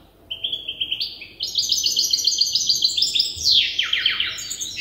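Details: European goldfinch hybrid, a young bird in its song-learning stage and tutored by an older hybrid, gives a fast, tinkling twitter of short high notes with rising and falling sweeps.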